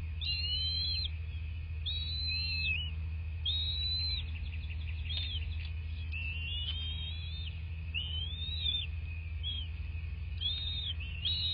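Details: Bald eagles at a nest in southwest Florida, recorded by nest camera on 26 February 2024 at 09:21: high, thin whistled chirps that rise and fall in short runs, repeated every second or two, over a steady low hum.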